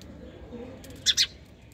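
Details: Two quick, harsh chirps from a sparrow, given close together in a brief double note, breaking an otherwise quiet stretch with faint low murmur underneath.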